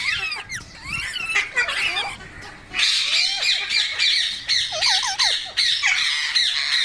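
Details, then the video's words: Loud, harsh squawking from a green parrot, forming a continuous raspy chatter broken by short, looping whistled notes in the second half. "Green Parrot Talking Natural Sounds | Mitthu Ki Awaaz | Tote Ki Awaaz"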